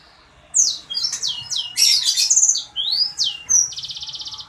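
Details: Sanger bird singing energetically, a rapid string of high, sharp whistled notes and quick sweeping slurs, some trilled, packed into short bursts with brief gaps, ending in a fast buzzy rattle; faint background hum.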